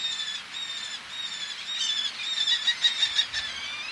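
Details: Eleonora's falcon male at close range, females calling from ledges over the sea: long, harsh, nasal drawn notes that speed into a quick series of sharp, clipped calls near the end.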